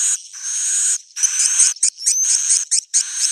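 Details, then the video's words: Edible-nest swiftlet roosting call used as a lure: a long buzzy burst, then choppy short rasps and a rising thin whistle, ending in another sustained buzzy burst. "Suara inap original"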